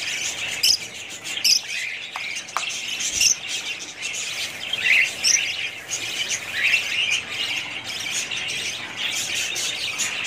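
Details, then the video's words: Budgerigars chatter steadily in high, scratchy warbles, punctuated by bright, sharp chirps every second or two throughout. "budgies parrots"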